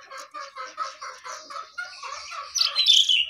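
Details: A jongkangan on top of its cage sings a rhythmic series of short chattering phrases, about three per second, rising into a louder, higher, squeakier passage at the end.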